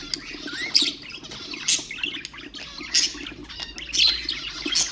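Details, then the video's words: Ornamental budgerigars chattering to encourage other birds to sing: scratchy, high warbled notes and squeaky chirps in short bursts roughly once a second, against a steady low background murmur. "اقوى أصوات طيور البادجي طيور الزينة أصوات تحفيز الطيور"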